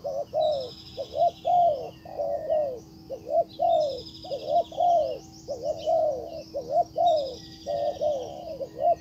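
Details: Decoy spotted dove calling a wild bird back: a steady run of low cooing phrases, short then long notes, nearly continuous over nine seconds, with high bird chirps and trills in the background.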